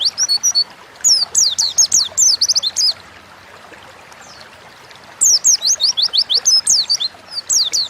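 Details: Pleci, or Oriental white-eye, giving forest-style 'ngalas' chatter meant to spur cage birds into song; two dense phrases of high, twittering, slurred notes separated by a couple of seconds of quiet.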